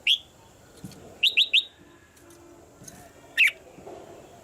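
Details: Caged female red-whiskered bulbul calling to stir a male into singing harder: a few short bright chirps, a quick triple burst near the middle, then one louder slurred note, with faint background rustle.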